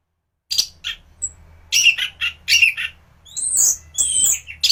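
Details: Orange-headed thrush song for teaching other birds: scattered harsh chirps building into a run of rapid notes, ending with longer high, slurred whistles.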